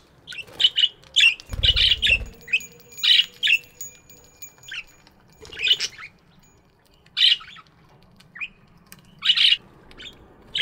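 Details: Budgies chirping in an aviary in the morning: short bright chirps and squawky notes in loose bursts roughly every second, several birds calling, with a faint low thump early on.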